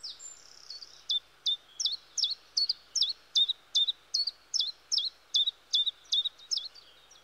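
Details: Chiffchaff song from the woods, a repetitive series of high, sharp two-pitch notes, each dropping steeply, delivered at an even pace of nearly three per second for the full stretch, with faint low hum behind.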